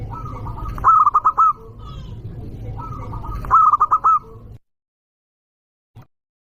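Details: A loud local zebra dove utters its call to rile rival birds. Two rolling series of short, pulsed coos rise slightly in each phrase, over steady low rumbling. Silence follows, broken by a single brief click.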